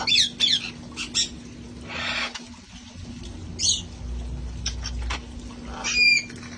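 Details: Parrots playing outdoors at a sanctuary: clipped harsh squawks and sharp chirps scattered through the clip, ending in a whistled squawk, with a low rumbling sound partway through.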